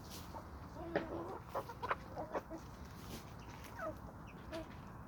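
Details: Homestead flock of chickens and roosters on a small suburban homestead with sandy soils in Toxandria; soft, short clucks scattered across the clip, some with a brief rising or falling pitch, over a low steady background rumble.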